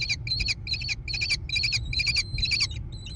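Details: Nestling American kestrels in a barn-mounted nest box overlooking meadows near Prairie du Chien, Wisconsin, USA, 14 June 2022, nest camera: dense, overlapping shrill screeches, roughly eight bursts, with a thin whistle running through them and a low hum.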